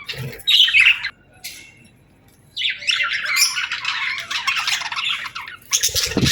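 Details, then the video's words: Cute pet birds give a short squawky burst, fall silent for over a second, then break into a long, buzzy, chattering warble. "Bird Chirping Sound"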